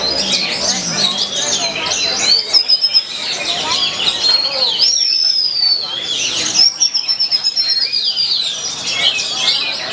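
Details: Oriental magpie-robin (kacer) performing at a bird-singing training contest in Yogyakarta: loud, rich song of sharp whistled notes, slurred rising and falling phrases and rapid chattering trills, with dense overlapping bird song and voices behind.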